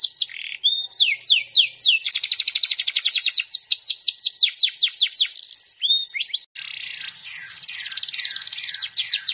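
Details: Canary singing continuously with swaying delivery and ornate melodic turns. Falling whistles, then a long, very fast rolling trill and slurred sweeps, ending in a scratchy, wavering warble.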